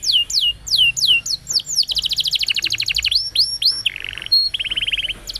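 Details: Canary song used as a training and prompting recording to get other canaries, including ones that stopped singing, to respond. A rapid series of descending whistled sweeps gives way to fast buzzy trills, then repeated rolling tours at steady, mid-high pitch.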